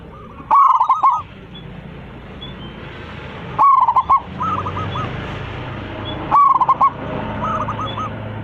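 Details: Local zebra dove, big-voiced and in full song, calling its flock. Three loud fast coo phrases roughly every three seconds, each followed by a quieter looping coo reply from another dove.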